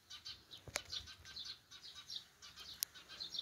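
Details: Sparrows on a countryside morning: rapid, bright chirps scattered unevenly, punctuated by two sharp clicks, against faint outdoor background.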